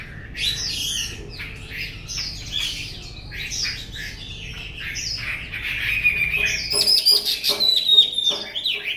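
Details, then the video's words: Chinese hwamei singing a stream of varied whistled phrases, some buzzy, some clear, that grows louder toward the end, with high thin sustained whistles and faint clicking behind. "Họa Mi cổ vũ u23 Việt Nam 2018"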